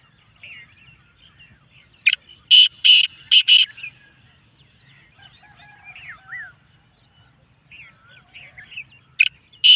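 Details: Black francolin of the Speeder, chakri-wala type, delivering a loud harsh call of several rasping notes in quick succession, then a lone note near the end, with soft twittering of small birds between.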